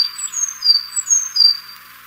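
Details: Sakhalin leaf warbler, whose song is said to be very different from its near-identical relative: thin high whistled notes sliding down and levelling off, five in quick succession, fairly quiet.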